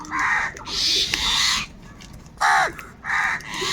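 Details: Crows fighting for food: harsh, nasal caws in three or four separate bursts, each about half a second long, over steady background noise.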